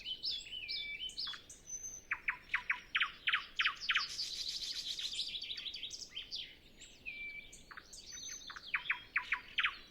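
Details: Nightingale singing early in the morning before sunrise on a windless day while other birds are still silent, captured with a Zoom F6 and Sennheiser MKH 8040: varied loud phrases of rapid repeated clicking notes, pure drawn-out whistles and a buzzy burst.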